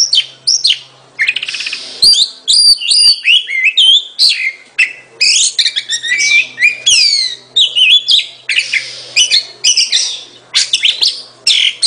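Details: A loud, continuous Oriental magpie-robin song of rich fluty whistles, swoops and scratchy notes, phrases changing constantly with hardly a pause, against a quiet background.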